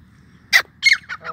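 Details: Grey francolin (Sindhi teetar) calling with a short burst of loud, grating notes: one sharp squawk, then a longer ringing syllable and two fading harsh notes, against a faint low hum.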